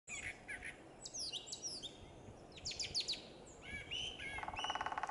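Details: Brown thrasher singing in the morning along the Blue Goose Trail near the Boardwalk Trail: quick, varied high whistled and chirping phrases, some repeated, ending in a rapid buzzy trill, heard at a distance outdoors.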